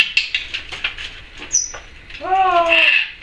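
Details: Pet Timneh African grey parrot, female, kept indoors, making a series of clicking ticks, then a short high whistle, then a drawn-out nasal, harmonic tone that holds steady before fading.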